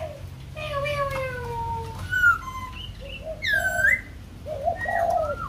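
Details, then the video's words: White-crested laughingthrush, Kbang, Vietnam, giving long drawn-out whistles that fall slowly, then short bright notes, a loud ringing upslurred whistle, and closing warbled phrases; faint low hum behind. "Khướu Đầu Bạc / Kbang / Bông Lau /Chim Bồ Chao /Hót Đỉnh Cao"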